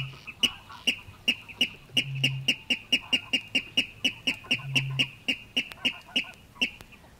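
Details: Water Rail calling from Matsalu reed beds, USSR, released 1979: a long run of hard, ticking kip-like notes, roughly three per second, steady then slightly quickening, over brief bursts of low humming in the background.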